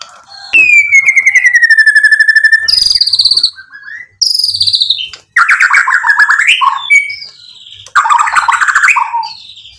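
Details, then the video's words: White-rumped shama singing to provoke rivals: opens with a long falling whistle over a fast ticking pulse, then harsh buzzy bursts and dense rasping chatter phrases separated by short pauses. "MURAI BATU GACOR bikin EMOSI lawan jadi NYAUT BUNYI BONGKAR MATERI ISIAN cocok buat PANCINGAN murai"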